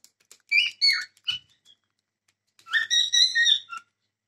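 Cockatiel giving harsh, warbling chirps: three quick notes, a pause, then a longer run of raspy, wavering whistles. No other sounds.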